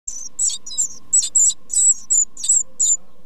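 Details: Tit nestlings in a nest box during their first two weeks of life, begging: high, thin squeaky calls in quick irregular bursts, several overlapping, with a steady low hum underneath.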